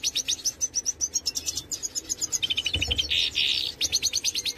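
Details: Major-form European goldfinch in a lively, continuous twitter of bright clipped notes, repeated quickly, with a brief buzzy, scratchy passage midway before the tinkling notes resume.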